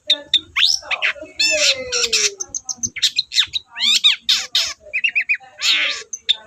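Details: Long-tailed shrike in rich, loud lure song for reluctant shrikes. Squawks, a long descending whistle and rapid, ladder-like trills follow one another, with a short run of evenly spaced chirps.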